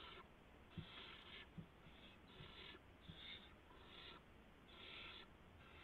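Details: Barn owl at a nest at 3:10 AM on March 16, 2016, as an adult delivers a gopher to the owlets: harsh, noisy hissing bursts, each under a second, repeated with short gaps against a steady low background hum.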